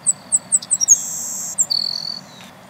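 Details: Savannah Sparrow song recorded in the wild at Millennium Park, West Roxbury, Massachusetts: several sharp, high-pitched introductory ticks, an insect-like buzzy trill, then a lower flat buzz ending the phrase, with faint low background hum.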